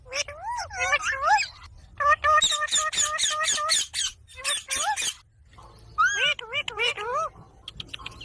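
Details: Green talking parrot babbling long runs of fast harmonic syllables, some wavering and arched, others clipped and evenly repeated, with brief gaps between bursts.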